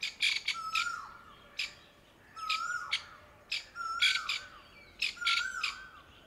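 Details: Grey francolin mother sitting camouflaged among dry brown summer leaves, panicking over newborn chicks gathered around her; harsh, squawky bursts in clusters every second or so, with a recurring clear whistled note sliding down in the background.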